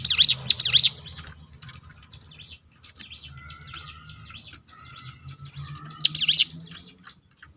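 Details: Ciblek gunung, the crested honeyeater, in 'tembakan' song to prompt other birds to sing: bright high chirp bursts at start and near the end, softer scattered notes and thin whistles between, over a low hum.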